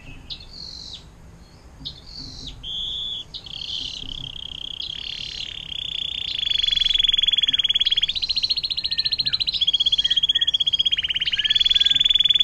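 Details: A canary sings in the long water-fountain ('air mancuran') style used to teach songbirds such as magpie robins: short high buzzy phrases at first, then steady, loud, rapid rolling trills that change pitch level every couple of seconds.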